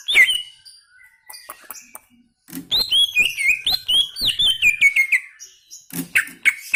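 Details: Greater green leafbird in vigorous song. A few faint chips come first, then a dense run of quick, slurred whistles laced with sharp clicking notes, ending with loud bright phrases.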